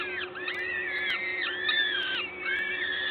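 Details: During a feeding at the LOTOS peregrine falcon nest, Gdańsk, Poland, 14 May 2022, 11:07: overlapping whining calls that swoop down and up, near continuous, with a steady low hum in the background.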